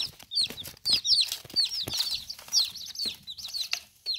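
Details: Baby chicks in their first ten days, eating and drinking: a busy stream of high, downward-sliding peeps from several birds, overlapping almost continuously, mixed with sharp ticking and pecking sounds.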